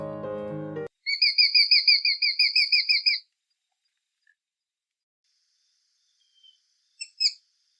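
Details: Sharp-shinned hawk (Accipiter striatus) call: after a brief low tone, a fast, even run of high, sharp, frantic kek notes, about seven a second for two seconds; a few faint notes follow.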